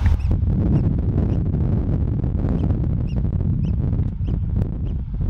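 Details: A pair of Eurasian oystercatchers calling on Great Blasket Island: short, sharp, high piping notes with ringing overtones, repeated irregularly about every half second, partly masked by a strong, steady wind rumble.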